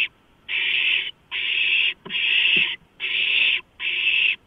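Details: Hissing begging from owlets as a large rodent is delivered, 23 March 2015. Five long, loud, raspy hisses, each near a second, separated by brief pauses.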